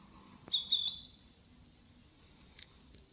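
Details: One high, thin birdsong phrase: a few quick chirps running into a longer wavering whistle, followed by silence and a faint tick near the end.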